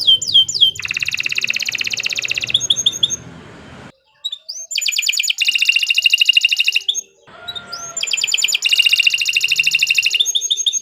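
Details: Long gacor song of a Kenari Nusantara canary, used for tutoring: three bursts of dense rattling trills, each opened by rising whistled notes and separated by short pauses.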